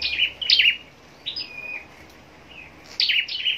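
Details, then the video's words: Scarlet-backed flowerpecker raised for contest singing: a few brief high twittering bursts, a thin sliding whistle in the middle, then two more sharp chippy phrases. "Chim Sâu Đầu Đỏ Hót Đấu"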